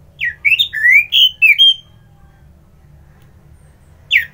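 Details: Energetic orange-headed thrush kept as a songbird in Bali, Indonesia, during the morning: a quick phrase of loud rising and falling whistled slurs, each note distinct, followed by silence and the start of another phrase.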